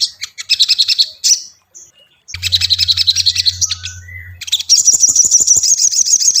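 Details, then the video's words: A tailorbird gives rapid, high, sharp chirps in quick bursts of several notes, with brief pauses between phrases and a low hum in the middle; the recording is meant as a lure to prompt captive tailorbirds to sing. "SOGON PANCINGAN mp3 Cocok untuk melatih mental sogon lekas bunyi"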